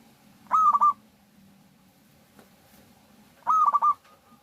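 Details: Lure recording of a local zebra dove that sings often, meant to make other doves sing. Two mellow, bubbling cooing phrases about three seconds apart, each a quick sequence of four or five clipped notes, with quiet low hum in between.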